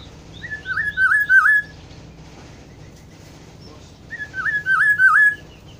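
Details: Two matching phrases from a black-throated oriole, known as kepodang hutan, about three seconds apart, each a rising lead-in note followed by three to four rolling, fluty whistles.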